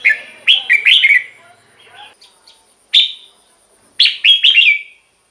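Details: Red-whiskered bulbul song played to excite caged birds: scattered short chirps and a few lively warbled phrases of slurred, bouncing notes, ending in one fuller phrase.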